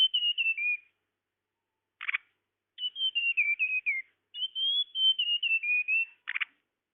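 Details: Lure call for catching tledekan: three high whistled phrases of descending notes, each separated by a short harsh buzzy rattle.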